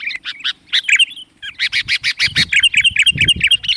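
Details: Sooty-headed bulbul lure call used to draw wild bulbuls in: a rapid run of bright, chattering notes, about two per second, mixing clear whistles with harsher rasping syllables.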